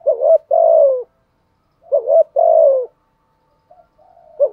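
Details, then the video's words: Spotted dove kept as a lure to draw rival males, delivering two low mellow coo phrases, each a short rising note then a drawn-out falling coo, followed by quiet murmurs. "chim cu mồi thúc gù bài bản nhất hiện nay, chim cu gáy kích bổi hiệu quả nhất hiện nay"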